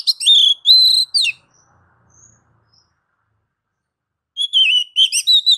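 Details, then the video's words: Oriental magpie-robin singing ngeplong, a style used to spur other magpie-robins to sing: loud looping whistles and quick chattering notes, a long pause, then another rippling whistled phrase, on a clean silent background. "MASTER DASAR KACER NGEPLONG MEMANCING KACER AGAR CEPAT BUNYI GACOR Birds Song Kacer"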